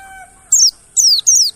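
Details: Mountain white-eye lure song for reviving silent birds: three high, falling, slurred notes after a brief low tonal hum at the start.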